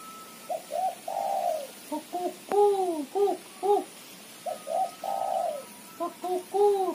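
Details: Lively female spotted dove, or tekukur, in chattering cetrekan style for luring; rapid bursts of hollow, arching coos and a few drawn-out notes, about a dozen in seven seconds, with a thin constant high hum behind.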